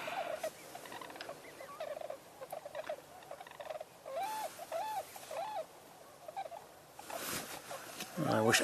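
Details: On 11 November 2023, unseen tundra swans behind vegetation call with overlapping high, hooting, yelping notes about half a second long, sounding fairly close, with brief wind or rustling bursts near the end.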